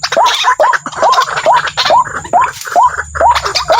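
A waterhen gives a fast run of short, upslurred croaking notes, about two or three each second, over a rough, scratchy background.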